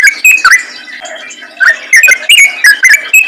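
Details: Lure song of a yellow-vented bulbul in rapid 'ropel' style. Clipped, whistled notes sliding up and down come in two clusters separated by a short lull, the second cluster denser and faster.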